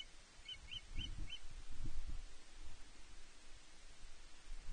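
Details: Osprey alone on its nest at Loch Arkaig on the evening of 12 June 2023, calling for fish with no answer. It gives four quick, thin whistled chirps within a second, faint against steady low wind rumble.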